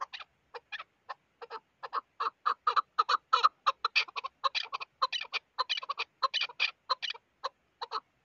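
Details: Chukar partridge in a rhythmic clucking series, starting with sparse notes, swelling into dense harsh chucks mid-sequence, then thinning out again.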